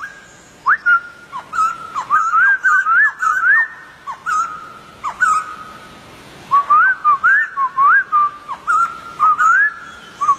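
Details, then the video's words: Rising flicks and looping whistles from a wild white-crested laughingthrush, in two lively bursts separated by a quieter pause, over faint high clicks. "Poksay jambul liar"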